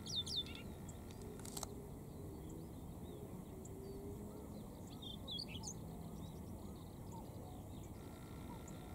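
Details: A male Siberian rubythroat singing beside a cycling road gives a varied, scratchy warble of quick high twitters and chirps, over a steady low rumble of wind or distant noise.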